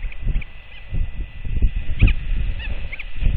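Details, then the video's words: At a colony before dawn, a returning royal albatross mother and her startled chick, then a second chick, trade dry, hollow defensive bill clacks about every half second, over low wind rumble and a faint steady hum. "Royal Albatross ~ LGL Arrives In The Dark & Scares TF Awake! 😲 Both Clack At One Another!"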